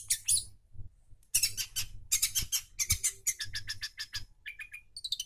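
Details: Long-tailed shrike singing hard, used as a lure for a bird that has stopped singing: bursts of dense, scratchy, high chattering notes, with a brief pause, ending in short clear whistled chips.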